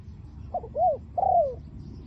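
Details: Decoy spotted dove calling to draw in wild doves, 'liu tan' voice: a single phrase of a quick doubled note, a rounded arched coo and a longer falling coo over low-frequency rumble.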